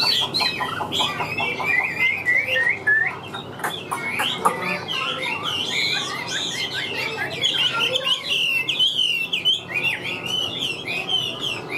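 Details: Forest-caught Chinese hwamei singing loudly in a tense voice: a long, unbroken stream of varied whistles, slurs and rapid warbled trills, with a few clicking knocks near the start and four seconds in, and faint background hum throughout.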